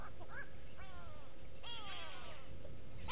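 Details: At Gowrie dam in South Africa's Sabi Sand, 6 June 2018, go-away birds give drawn-out, downward-sliding nasal wails, two in quick succession, with steady low background noise.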